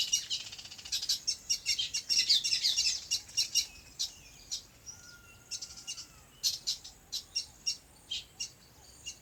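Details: Birds chirping on a farm in their natural habitat: a loud flurry of high twittering at first, then sharp, separate chirps repeated about twice a second, plus one soft, lower whistled note.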